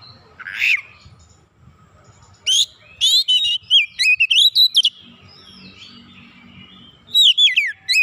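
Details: Energetic kacer (oriental magpie-robin) lure song unloading its learned phrases: a harsh rasp, then rapid strings of sharp, high, sweeping whistles, a pause, and another burst of varied piercing notes.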